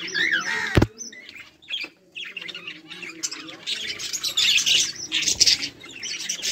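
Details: A group of budgies chirping and playing on 24 July 2023; a sharp click early on, then steady warbled chatter building into denser, louder twitters toward the end.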